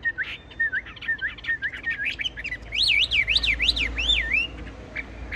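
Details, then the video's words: Tame Chinese hwamei in a cage, still singing as the cage is shaken: short clipped whistles build into a loud, smooth run of about six wavering rising-falling whistles, with a low hum underneath. "Họa mi thuần đét đẳng cấp hót như máy bộ cực đẹp lắc lồng vẫn hót"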